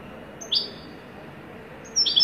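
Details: European goldfinch, called wedani, gives two brief high chirps separated by about a second and a half of quiet hiss, each note sharp and slightly descending.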